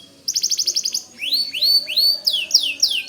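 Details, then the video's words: Steadily singing white canary, a recording meant as a tutor for shamas: a rapid series of about eight identical high notes, then loud upswept whistles rising and falling in quick repeated arcs. "Suara Kicau Kenari Putih Gacor Dor Cocok Buat Masteran Murai Batu"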